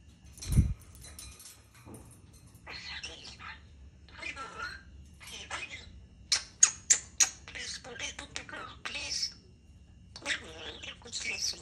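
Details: European starling talking; bursts of scratchy, wheezy speech-like phrases and sharp clicks, broken by short pauses, with a low thump near the start.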